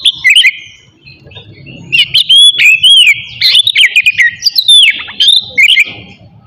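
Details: Morning song of an Oriental magpie-robin (kacer), played to rouse rivalry and breeding urge in other birds: continuous bright whistled phrases with rising and falling slurs and quick chirps, strong and unbroken through the clip.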